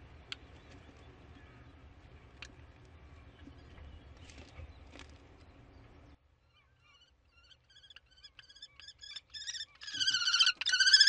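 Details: Common kestrel on 15 May in spring, its shrill repeated notes starting faintly after a quiet stretch of low rumble and clicks, then growing steadily louder and faster into a rapid ringing chatter near the end.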